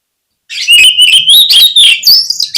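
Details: An oriental magpie-robin, known locally as kacer, sings a lure phrase meant to set off other birds: after brief silence, a very loud, continuous two-second run of rapid, rasping and whistled notes climbing gradually higher.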